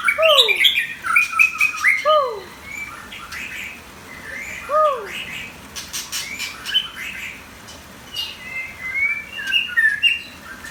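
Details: Competition white-rumped shama delivering varied song: loud falling whistles and rising slurs early on, with sharp clicks between phrases and softer, scattered high whistles later, separated by short pauses.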